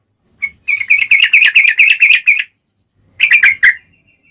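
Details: Yellow-vented bulbul in full, energetic song with a long rapid trill, used as a lure to provoke other bulbuls to sing: a fast run of bubbly chirping notes for two seconds, a pause, then a shorter burst.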